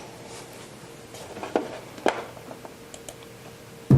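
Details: Quiet indoor room with a steady low hum, scattered sharp clicks and taps, and a loud thump at the very end.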